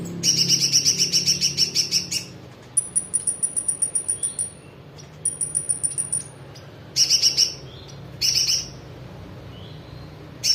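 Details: Kolibri (sunbird) singing with spiderhunter-style phrases mixed in: fast high trilled bursts alternate with long, thin, steady whistles held near the top of the range, then more short buzzy trills.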